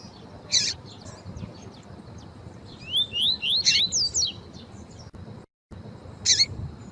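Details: Female double-collared seedeater piping with tui tui song: a harsh raspy chirp, then a rapid string of rising whistled notes, and a last scratchy chirp near the end; brief dropout in the background.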